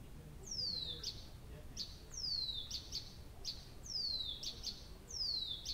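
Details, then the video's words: Night song of a nightingale in Abramtsevo, early June 2021: long high whistles sliding downward, each followed by two or three sharp clicks, repeated roughly every one and a half seconds, with a quiet low rumble behind. "Соловей поёт всю ночь"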